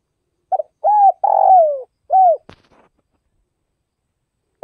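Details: Spotted dove from Vietnam's Tây Bắc region cooing one full phrase of stuttered intro notes, arched coo, long rough falling coo and clean final coo, followed by a sharp click and the start of another phrase.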